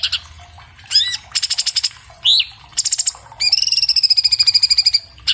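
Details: Orange-bellied leafbird (Cucak Cungkok), recorded on an iPhone 7+ for training cage birds: loud high rattling trills of rapid notes, short rising whistled slurs, and a long even buzzy trill near the end, delivered fast and dense.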